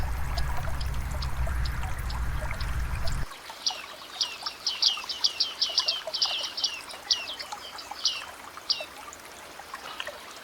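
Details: Bearded Reedlings in dense wetland reed beds give quick, metallic 'ping' notes in loose chattering runs, some nearly overlapping, while trickling water rushes underneath for the first three seconds.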